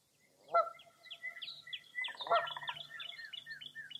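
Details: Morning birdsong on a foggy early April day at Mirror Lake State Park, Baraboo, Wisconsin: a sharp honk, then a dense tumble of quick high chirping notes, a second honk over a pulsed trill, and a faint low hum beneath.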